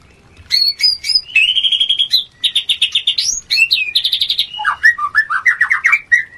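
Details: White-rumped shama song used to stimulate breeding urge: rich, varied clear rising whistles, sliding notes and fast chattering trills, delivered almost without pause.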